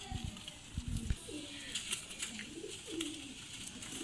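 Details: Salaray Teddy pigeons, a domestic pigeon breed, kept for sale. Low cooing phrases that slide downward, repeated several times, with background rustling and clicks.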